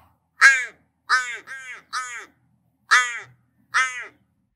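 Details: Little Crow, a species found only in the really dry parts of Australia, gives six short, flat, nasal caws, two of them run together, spaced about a second apart over four seconds.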